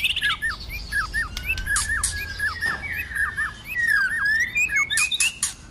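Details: White-rumped shama giving a fighting song with many voices in the cold season: rapid run of short downslurred whistles, repeated about twice a second, with sharp broadband clicks and brighter high notes scattered through.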